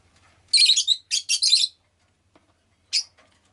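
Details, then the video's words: Rosy-faced lovebird kept as a pet, calling in a rapid cluster of four harsh raspy chirps, then a pause and one more sharp note; background nearly silent. "Lovebird Chirping Sounds"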